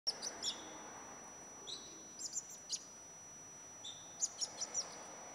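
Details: A young common blackbird, about three weeks old and fledged only days ago, gives thin, high, squeaky begging calls in short irregular bursts over a faint high whine while its mother feeds it earthworms in a backyard.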